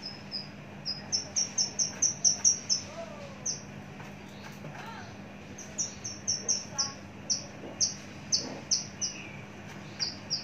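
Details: A mature Javan bush lark, long kept in a cage and large-bodied, sings a fast series of high, clipped whistled notes, about two per second. The notes come in two bursts split by a short pause, with a few lower slurred calls between them.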